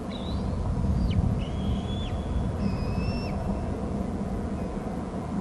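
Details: Bald eagle chick at a Hornby Island nest and territory cam, 6 August at 11:44, screeching as an adult arrives from the left with food and then leaves: several thin, high whistled notes, some sliding downward, over a steady low rumble of wind.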